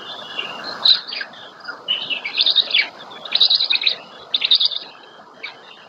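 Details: Black storks at a nest in the Łódź forest district, Poland, 27 May 2020, as the female feeds the chicks their first breakfast; high, chirping bursts come in uneven clusters, some rising and falling, over a steady hiss.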